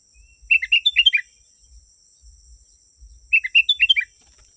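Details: Sooty-headed bulbul recorded as bait for wild birds: two lively phrases of about seven quick chirpy notes each, bouncing up and down in pitch, separated by almost three seconds. Low thumps and a steady high whine are also audible.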